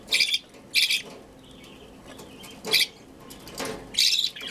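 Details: Hand-fed budgerigar chick, hungry during feeding, gives harsh, raspy begging bursts, about five short squawks spaced unevenly over a few seconds, with a quiet background.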